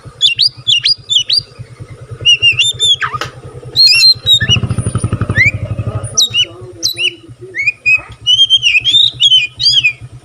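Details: White-rumped shama in full song with tail spread, said to stir other shamas into singing: loud varied whistles, sweeping slurs and sharp notes in rapid phrases, with a motor's throbbing hum midway.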